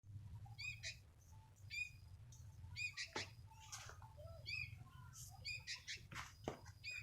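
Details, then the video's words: A single sooty-headed bulbul singing: bursts of short, bright chirping notes with stacked harmonics, interspersed with lower whistled phrases, over a steady low hum. "seekor burung kutilang"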